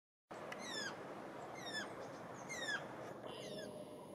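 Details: Spotted nutcrackers beginning their spring chatter: three harsh, downslurred calls about a second apart, then softer chattering, over steady wind-like background noise.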